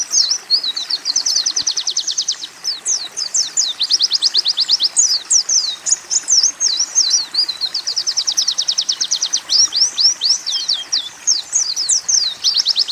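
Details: Oriental white-eye training recording of a song style blending canary and sunbird phrases. Long, rapid, high buzzy trills alternate with quick swooping whistled notes, delivered almost without pause over a steady hiss.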